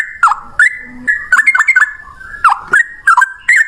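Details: Fighting 'ropel' song of a male yellow-vented bulbul, used to prompt other bulbuls to sing: short gurgling, falling whistled notes in clusters, separated by quiet gaps.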